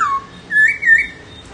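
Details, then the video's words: Whistled laughingthrush phrase: a short falling note, a pause, then a long, wavering whistle that rises and dips, clear against a quiet background. "HÓT NHƯ KHƯỚU"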